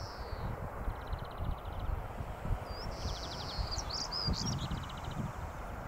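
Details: European stonechat at Hengistbury Head on 21 March 2019, with a high sliding note, fast clicking rattles, and a burst of scratchy twittering over low wind noise.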